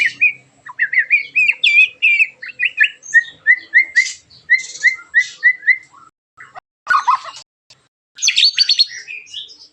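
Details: White-rumped shama in full song, rough sharp 'tembakan' to provoke other shamas: a fast series of short rising whistled notes, then evenly spaced repeated whistles, followed by harsh buzzy bursts.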